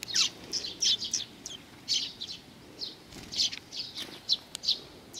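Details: Eurasian tree sparrows approaching to be fed, Mizukami Bridge, 4 June 2020: scattered bright chirps and short chattering bursts from a few birds, with quiet gaps between them.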